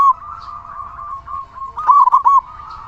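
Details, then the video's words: Local zebra dove with a big voice, kept to lure other doves into song: a soft level hum, then one brief bubbling rolled coo phrase near the end. "Perkutut lokal gacor suara besar cocok untuk pancingan burung perkutut agar cepat bunyi"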